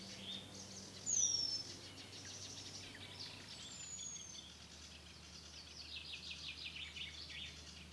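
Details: Eurasian penduline tit at Tidö-Lindö, Västerås, Sweden, 2010: one clear, thin, high whistle sliding downward, then a fainter one a few seconds later, over a steady high hiss.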